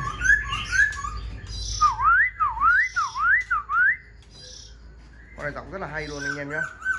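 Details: Caged Black-throated laughingthrush displays with fanned tail and raised wings when approached and called. It sings bright, looping whistles repeated about twice a second, then a harsh, buzzy chattering phrase, with a man's voice faintly present.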